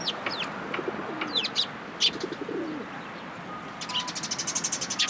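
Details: Sparrows surrounded by cherry blossoms at a Tenmangu shrine on 1 April 2023, calling with bright chirps and short sweeping notes, ending in a fast run of rapid ticking chirps over faint urban background noise.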